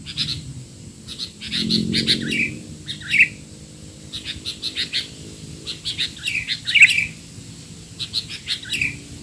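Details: Sooty-headed bulbul calls used as masteran for young bulbuls: noisy, busy chatter of short bright chirps and descending notes in bursts, with pauses between clusters; faint low hum underneath.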